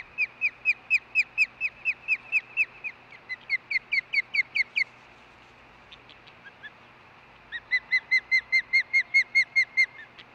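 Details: Female osprey at the Hellgate nest on August 10, 2013, late morning, calling after her mate delivers a fish: rapid series of short buzzy chirps, about two per second, in two bursts with a brief pause between.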